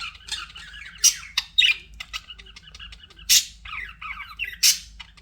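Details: Budgie sounds from pets, quieter scattered chirps and warbled squeaks broken by four loud sharp clicking snaps, spaced irregularly across five seconds.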